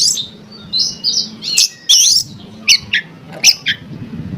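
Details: Oriental magpie-robin song used to provoke others of its kind: buzzy notes and sharp chips over a noticeable low background hum, in short spaced bursts.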